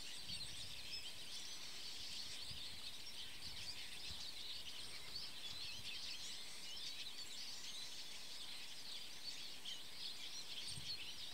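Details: A flock of Eurasian siskins preening leisurely up in a tree keeps up dense, continuous high twittering of thin chirps and wheezy notes over a low rumble of wind.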